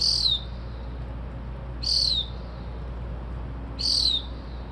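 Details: At 2:30-3:00am an unidentified bird, said to mock car alarms and sparrows, gives loud high descending whistles, three evenly spaced about two seconds apart, with faint hum beneath.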